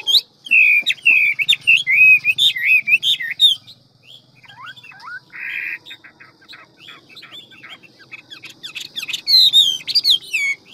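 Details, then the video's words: Hwamei in ngũ trường form, a quick, many-voiced forest singer: a rapid stream of looping whistled phrases for several seconds, then soft scattered ticks and notes before loud warbling returns at the end. "Họa mi ngũ trường giọng rừng mau mỏ nhiều giọng"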